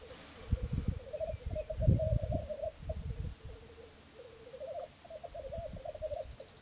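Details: Three black grouse males at a lek at Filsartrusket in Florarna, filmed from a hide early morning on 17 April 2013; continuous bubbling, cooing rookoo phrases rolling on without pause, over heavy low rumbling thumps of wind or handling noise.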